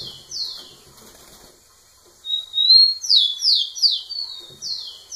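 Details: Rufous-collared sparrow singing hard to a female. After faint wing flutter and quiet rustling comes a loud phrase: a thin sustained whistle, then a rapid run of sweet descending slurs, ending in one more falling note.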